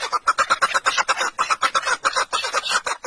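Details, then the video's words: A partridge gives a fast, harsh cackling run of clipped notes, about eight to nine per second, steady and unbroken. The listener disliked it, finding the call too rapid and not pleasant. "ben bu kekliğin sesini beğenmedim çok seri ötüyordu ve sesi de güzel değildi bana böyle geldi Siz beğendiniz mi bilmiyorum Evet"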